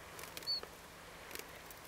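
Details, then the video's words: Siberian Chiffchaff (Phylloscopus collybita tristis), ringed and held in hand at Flommen, Falsterbo, Sweden, on 10 October 2010, gives one short, thin, level, high plaintive whistled note over faint clicks and handling noise. "Siberian Chiffchaff"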